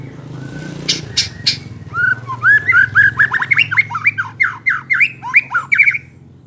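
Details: White-rumped shama singing to provoke rival shamas: three sharp clicks, then a rapid, loud run of varied whistled and harsh notes swooping up and down, over a low steady hum.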